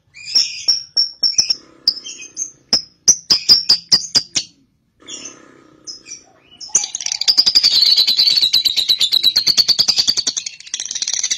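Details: Cobalt paud lovebird, used to encourage another lovebird into ngekek: sharp chirps and clicks with pauses, then a long fast rattling chatter of high rasping notes to the end.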